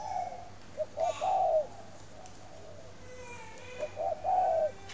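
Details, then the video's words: Spotted dove kept at a bird farm in Ba Vì, Hanoi, Vietnam, cooing in the morning: two low mellow phrases, each a couple of short soft notes leading into a longer drawn-out coo, about three seconds apart. "CHIM CU GAY HAY mỗi buổi Sáng"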